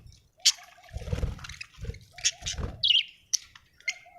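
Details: Happy budgerigar chirping: sharp chirps and a brief warbled phrase mixed with splashing, water-like noises and soft thuds.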